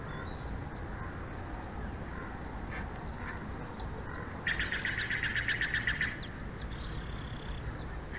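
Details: Bald eagle at a nest camera in Big Bear Valley, home of a breeding pair, recorded 06/04/2024 at 22:36: after quiet faint notes, a sudden rapid staccato series of high piping notes lasts about a second and a half, over a steady low hum.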